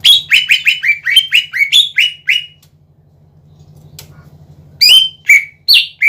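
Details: Cucak ijo, the greater green leafbird, singing hard to goad other leafbirds: a fast chattering string of around eleven slurred notes, a quiet stretch with low humming, then a few loud rising and falling whistles.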